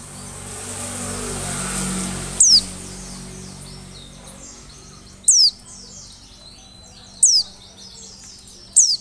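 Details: Oriental white-eye lure: after several seconds of broad background rumble and hiss, four sharp, high descending notes ring out about two seconds apart.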